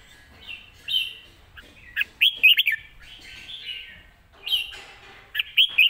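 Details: Red-whiskered bulbul in a cage, singing live in Thailand with rapid 'rik' chopping and good phrasing: lively whistled warbles in clustered bursts, rising and falling, repeated several times.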